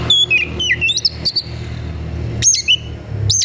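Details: Agitated white-rumped shama seeking a fight, pouring out varied whistled phrases with slurred falling notes and short chips, then two loud high whistled sweeps near the end.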